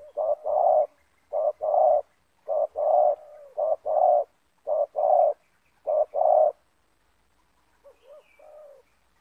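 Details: Banggo-style spotted dove calling in a yard, a caged lure bird facing a wild dove of the same loud voice type. Deep cooing phrases: a short coo followed by a longer rolled one, repeated steadily, then a softer phrase fading at the end.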